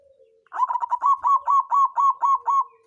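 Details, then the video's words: Local zebra dove of the songgo ratu type, played as a lure to rouse rivals and spur reluctant birds to sing: a rapid run of about nine rolling, hooked coos on one mid pitch, lasting two seconds. The background is quiet. "Perkutut lokal songgo ratu suara pancingan naikan birahi lawan ampuh buat terapi burung malas bunyi"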